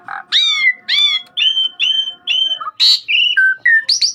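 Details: Asian pied starling, lively 'gacor' singer on a master recording, giving clear whistled downslurred notes about twice a second, some with rich overtones, mixed with a harsh burst and lower fluty notes.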